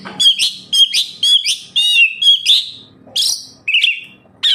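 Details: Oriental magpie-robin, its song used to coax kept birds into song: rapid bursts of bright notes mixed with raspy, buzzy elements in short phrases, about two per second.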